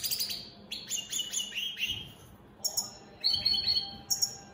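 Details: Singing opal split Satane goldfinches deliver a series of quick rising twitters, a short gap, then tinkling high notes and buzzy trilled phrases.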